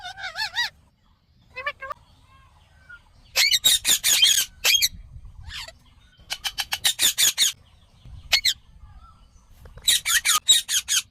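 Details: Indian ringneck parakeet: rapid series of harsh, raspy squawks in bursts of five to eight notes, separated by pauses and a few softer wavering calls.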